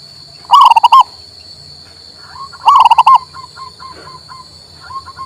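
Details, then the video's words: Zebra dove, a local male, singing to encourage a silent bird: two quick rolling cooed phrases of five notes, followed by a string of soft short coos, with a steady high-pitched hum behind. "MERANGSANG PERKUTUT MOGOK BUNYI"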